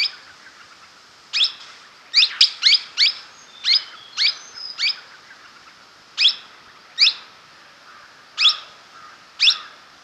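A Blossom-headed Parakeet gives about a dozen shrill, high, sharply clipped notes, singly or in quick pairs at an uneven pace, over quiet background.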